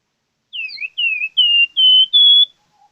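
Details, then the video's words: A gacor plamboyan bird opens with a couple of twisting, downslurred whistles, then settles into three longer level whistled notes that step up slightly in pitch. Clean recording, no background noise. "BURUNG PLAMBOYAN Gacor"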